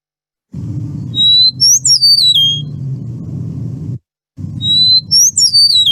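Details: Eastern Meadowlark breeding-season song in grassland: two clear, slurred whistled phrases sliding downward, 'spring of the year', about three seconds apart, over a low steady hum.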